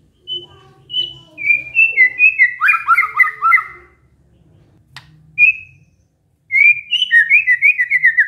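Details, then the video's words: White-rumped shama imitating canary: scattered thin whistles, then a dense burst of buzzy descending notes, a lone whistle, and a final run of fast slurred notes; faint low hum underneath. "murai batu bongkar isian KENARI"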